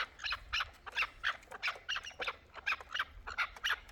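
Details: Chukar partridges, hybrid and local birds, give a series of short, harsh chuck notes, roughly two to three per second in uneven rhythm, each a bright burst over a quiet low background.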